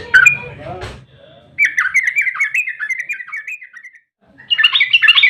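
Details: Emotional fighting song of a sooty-headed bulbul, played to provoke others to sing. A short burst, then a quick chattering series of bubbly whistles lasting over two seconds, a brief pause, and a higher, sharper flurry of notes at the end.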